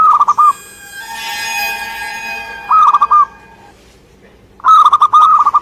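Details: Indonesian local zebra dove delivering quick, stuttered coo phrases, with a sustained tonal whine briefly sounding between the first and second phrases, followed by a longer rolling burst of notes.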